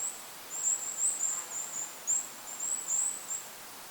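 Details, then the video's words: Goldcrest (Regulus regulus) calling over a lake in forest: very high, thin, sibilant notes, singly and in quick pairs, about a dozen over four seconds, with a soft hiss of wind behind. "Goldcrest bird call in the forest! Goldcrest call with wind noise in the background."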